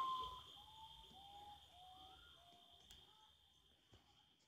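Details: Common potoo, a nocturnal bird, giving its mournful song: a series of whistled notes that step down in pitch, with a steady high insect drone behind.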